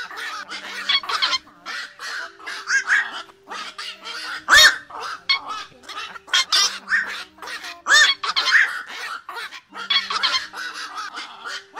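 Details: Black-crowned night herons give harsh, barking "kwok" flock calls in dense overlapping bursts, used as a lure for night netting during August migration, with steady low electronic tones running underneath throughout.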